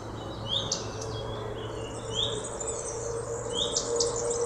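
Common redstart giving a short rising whistled 'huit', three times about every one and a half seconds, with faint ticking notes alongside over a low steady hum.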